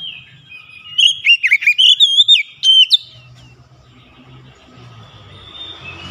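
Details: Oriental magpie-robin (kacer), an untrained 'bahan' bird, in lively 'gacor' song: a two-second burst of rich whistled notes with rising and falling slurs and sharp high accents, then quiet with faint low background hum.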